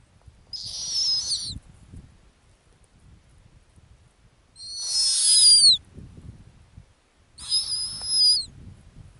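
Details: Female snowy owl on her ground nest in the Arctic, giving three high, hoarse whistled calls about a second long, each sliding slightly downward, spaced by roughly three seconds of near silence with faint low rumble.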